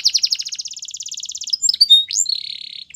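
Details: Canary sings a long rapid rattling trill of repeated notes lasting over a second, then a few sharp chirps, an upswept whistle and a buzzy held note.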